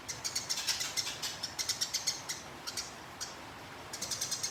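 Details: Fighting sparrow, recorded as training material for contest birds, pouring out rapid high chirps in rolling bursts, fading to sparse single notes, then a fresh quick cluster at the end.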